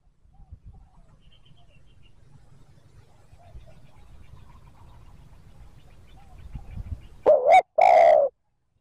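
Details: Faint low hum for several seconds, then one loud spotted dove phrase at the end, a wavering double note and a long throaty coo, from a recording used to draw wild birds.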